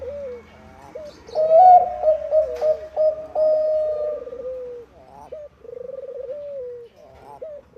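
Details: Lure song of a Bangkok-type zebra dove meant to set other doves singing: a soft rolling trill, a loud sustained ringing coo with repeated short breaks, then several softer descending purred phrases.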